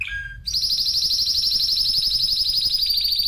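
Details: Spanish timbrado canary song opens with a short lower whistled note, then breaks into a rapid, evenly pulsed high rolling trill that runs without pause to the end.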